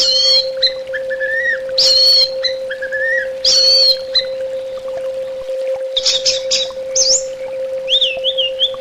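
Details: Therapy recording of orange-headed thrush song. Loud high whistled phrases alternate with lower slurred notes, followed by quick chattering bursts and a wavy whistle. A constant low hum runs underneath throughout.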